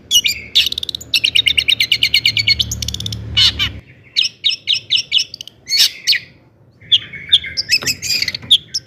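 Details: A long-tailed shrike sings its lively 'gacor' song as a lure to excite other shrikes. A long, fast rattling series, then quick repeated chirps, with a low rumble in the first half.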